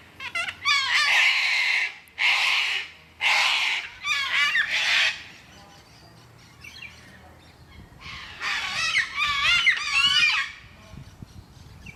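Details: Loud wild Sulphur-crested Cockatoo at Carisbrooke Park, a suburban Adelaide park in South Australia, enjoying life with crazy antics. Harsh, raspy screeches come in a fast series of about five, then a pause, then a rough burst.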